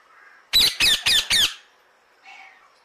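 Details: Alexandrine parakeet giving a loud burst of four harsh, raspy squawks in quick succession, evenly spaced, followed by a faint softer chatter in the background.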